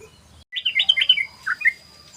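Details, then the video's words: Yellow-vented bulbul giving its rapid, continuous 'ropel' song: a quick run of bubbly, warbled notes that rise and fall, then two short fluty phrases after a pause, with a faint steady high tone behind. "SUARA BURUNG TRUCUKAN ROPEL❗❗❗BURUNG TRUCUKAN NGEROPEL❗❗❗"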